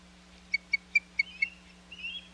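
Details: Osprey at the Hog Island nest, 21 May 2021: five sharp, high whistled chirps in quick even succession, then a fainter drawn-out squeal, over a steady low electrical hum.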